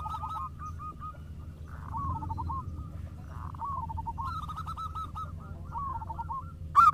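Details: Local zebra doves answering each other with a run of short, rippling cooing phrases at moderate volume, with one caller taking up another's song, over a low hum.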